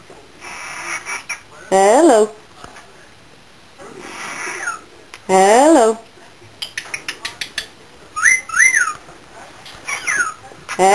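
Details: Cockatiel meeting budgies for the first time whistles and tuts excitedly at a budgie: loud wavering whistles, quick rising-falling chirps and a burst of rapid clicking tuts, while a person softly says "hello".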